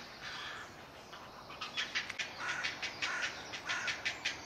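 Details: A great blue heron colony in Delftse Hout woods, Delft, Netherlands, with a hungry chick crying for food: harsh, clattering notes in quick irregular bursts, about one or two a second, over a steady outdoor hiss.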